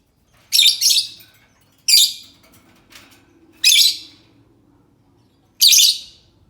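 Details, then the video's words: Five shrill lovebird screeches, one much softer than the rest, coming every one to two seconds. The recording is meant as a lure call to make other lovebirds answer. "Suara Burung lovebird cocok untuk pancingan lovebird pasti nyaut"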